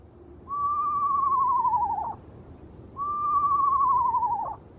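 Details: At night by a river, an Eastern Screech-Owl perched on a moonlit tent calls for a long time: two long, quavering, slightly falling whistled trills, each about one and a half seconds, about two and a half seconds apart.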